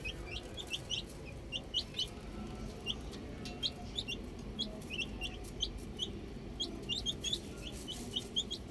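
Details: Outdoor baby chicks, a group giving clear, high, clipped chirps in irregular quick bursts, with scattered clicks and faint low background noise.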